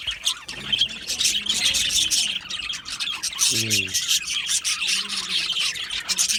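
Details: Budgie colony in an aviary chirping happily, a thick layer of high scratchy chatter and squawks, with a lower voice-like harmonic sound briefly breaking through midway.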